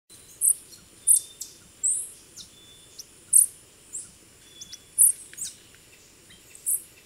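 Black-faced dacnis giving very high, thin, sharp chip notes, about one a second at uneven intervals, over a steady high insect hiss.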